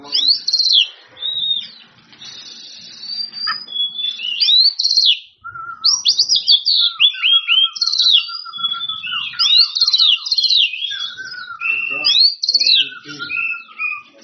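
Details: Oriental magpie-robin in an energetic rival-calling song, fast repeated sharp descending notes over a steady lower series of whistled slurs, almost continuous.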